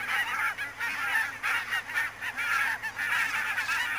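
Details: Foggy autumn morning of 2 October 2011 at Niittylahti, Savonlinna, Finland, with a flock of barnacle geese: sharp yapping honks tumble over one another in bursts about every half second, a constant murmur of distant birds behind.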